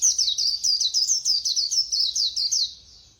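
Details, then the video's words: White-eye singing the lively 'líu' style at speed: rapid, high, slurred whistled notes, about four per second, each sweeping downward, ending in a fading trill. "Khuyên Líu Hay _ Mau Mỏ _Tốc Độ _Tiếng chim Khuyên Líu"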